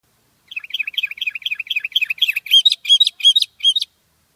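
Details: Sooty-headed bulbul (Pycnonotus aurigaster): a rapid chattering run of short, bright chirps, about three per second, growing louder and more ringing toward the end, with no other sounds.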